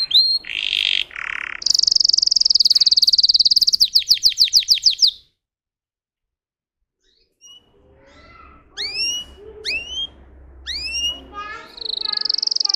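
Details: Canary song: a fast warble, a sustained high buzzy trill, then rapid repeated notes. A pause of about two seconds follows before softer rising chirps and sweeping whistles resume, ending in a high trill.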